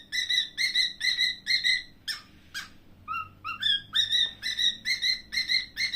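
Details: Cockatiel whistling a steady rhythmic series of short, clear notes about twice a second, broken midway by harsh buzzy rasps and low rising slurs before the even whistles resume.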